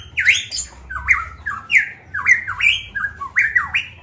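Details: Golden myna of Papua (Manokwari) in full, loud song: a rapid series of harsh, whistled squawks, each note sliding down then up, repeated about every half second with no pauses.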